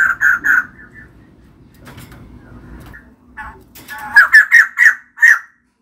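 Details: Female white-crested laughingthrush: three loud notes, a quiet stretch, then a rising series of five strong, harsh, evenly spaced notes about a quarter second apart.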